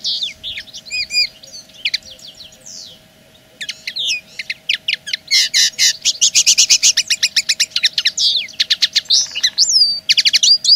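A common linnet sings a fast, varied twitter of high chirps, rippling trills and nasal notes, with a faint steady hum underneath.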